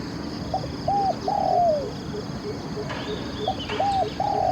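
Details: Spotted dove used in Thai decoy dove luring, cooing in low, mellow phrases: short hooting notes followed by a longer drawn-out coo that slides down, the phrase starting again after a pause, over steady background hiss.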